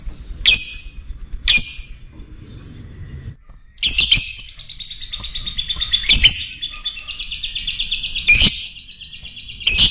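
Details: Fighter lovebird used as a lure to stir up other birds: sharp high chirps, then a long shrill, rapidly pulsing chatter with repeated piercing notes breaking through.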